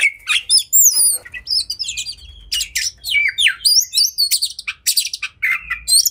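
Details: Agitated caged oriental magpie-robin (kacer) in fighting mood pours out fast varied song: sweeping whistled slurs, squeaky chirps and rapid trills, about four notes a second, loud and high-pitched throughout.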